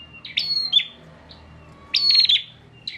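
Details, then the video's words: Bar-winged prinia kept in Pemalang, Central Java, as a song tutor, giving two short buzzy, rattling bursts with a thin whistle, separated by a pause of over a second, over a faint low hum. "PRENJAK GACOR NGOTOT UNTUK MASTERAN"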